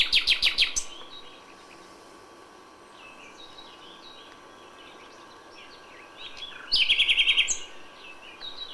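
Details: Dawn song of a common nightingale in May: a fast, loud burst of stuttering repeated notes opens and closes the passage, with softer, varied warbling from distant birds between.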